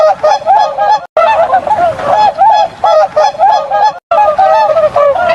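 A flock of swans gives loud, nasal, trumpeting honks, many birds calling over one another in a steady clamour that breaks off abruptly twice.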